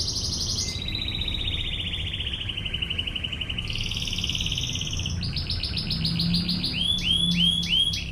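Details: Singing canary in the ngebren shooting style, used as a tutor recording: long smooth rolled trills that shift pitch in steps, ending in a sequence of quick repeated swooping whistles, over a low background rumble.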